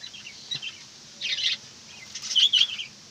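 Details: Pet budgerigar giving scattered high twittering chirps, a buzzy burst mid-way, then a louder run of quick chirps near the end, against a low background hum.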